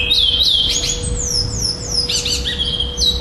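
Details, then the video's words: Chestnut-bellied seed finch, black male, second-place tournament bird from Florianópolis, Brazil, 11 December 2011. Quick downslurred whistles come in a brief busy phrase, then resume, over steady low background hum. "GUARA 2º LUGAR FLORIANOPOLIS PRETO COM REPETIÇAO TORNEIO 11-12-2011"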